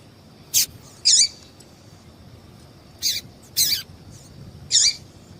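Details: Excitement calls of a female yellow-bellied seedeater meant to stir up singing males for tournaments: five high, thin, scratchy chirps, some doubled, spaced about a second apart over low hum.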